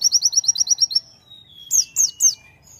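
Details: White-eye-style song delivered by a konin in full voice: a rapid burst of about ten high sweeping chirps in a second, then a thin descending whistle and three loud, sharp downslurred notes after a pause.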